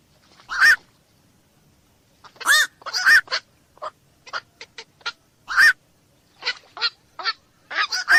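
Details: A black-crowned night heron (koak malam) gives harsh, nasal barks, some loud and doubled, others short and clipped, in irregular runs over a quiet background.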